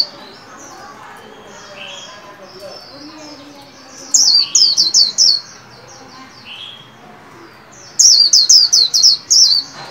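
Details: A white-eye kept in a cage and trained to sing the líu song, new year 2021: soft background twitters, then two rapid bursts of about six shrill, downslurred chirps each.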